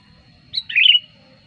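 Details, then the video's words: Sooty-headed bulbul song played as a lure for wild bulbuls: one quick phrase opening with a sharp high note, then a liquid gurgling warble falling away, with faint low hum beneath. "suara pikat burung kutilang gacor ampuh"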